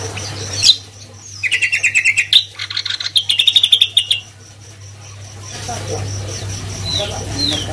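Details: Greater green leafbird in lively gacor song, pouring out rapid, trilled chattering phrases of high, clipped notes for about three seconds, then softer scattered notes, against a steady low hum.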